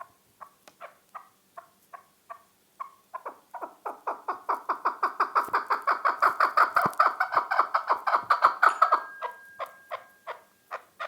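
A chukar partridge gives a run of harsh clucking notes that speed up into a rapid, rhythmic chuk-chuk-chukar series, then slow again.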